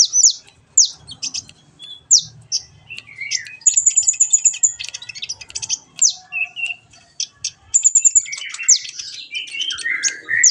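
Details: Kolibri ninja sunbird on a training recording meant to make birds sing and chatter: varied high chirps, clicks and short trills, with twittering lower phrases, in irregular bursts.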